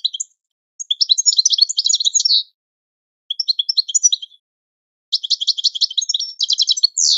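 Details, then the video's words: European goldfinch training song: bursts of rapid, twittering, tinkling notes with buzzy trills, sung in three phrases separated by short pauses, clean and without other sounds. "Goldfinch The Best Singing - training song"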